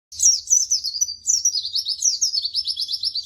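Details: White-eye (pleci) singing a training song for other birds to learn, described as lively and spirited: rapid high thin warbled phrases, then a long run of quick sweeping repeated notes, continuous without pauses, with faint low hum beneath.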